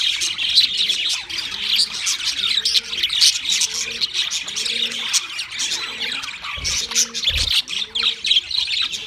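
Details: Pet budgies in chorus, chattering and warbling nonstop in quick high twitters and squawks, while a low, soft double-note hoot repeats about every second underneath, with two brief thumps near the end.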